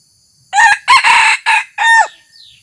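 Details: A new decoy red junglefowl rooster, brought out for the first time to lure wild birds, delivers a single strident crow in five harsh, broken pieces, with a faint high bird note at the close.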